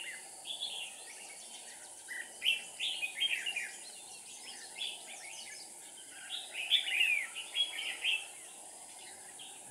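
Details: Decoy red-whiskered bulbul at a trap, 7 April 2019, delivering two lively bouts of quick chirps and slurred whistles, with quieter chatter in between over a steady hiss.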